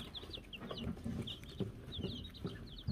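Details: Baby Wyandotte chicks, silver laced, gold laced and gold laced blue, given a bell in May 2022: bright downward-slurred peeps in small clusters, mixed with low thuds and pecking or shuffling noises.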